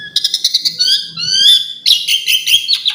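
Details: Asian pied starling delivering a variation-rich song: rapid repeated clicking chirps over a low whistle, a rising drawn-out whistle, then a dense burst of harsh, chattering notes.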